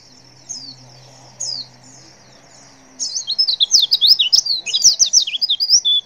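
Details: Female white-eye calling so that males answer. Two brief high chirps are followed by a dense, fast twittering chatter of sharp notes from the third second on, with a faint low hum early.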